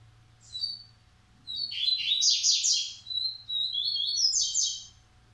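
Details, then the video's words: Caged Coleiro from a Maranhão aviary singing Massai and baiano phrases: a brief chirp, then two long bursts of loud rasping trills and rapid high notes. "Coleiro Massai x Coleiro baiano"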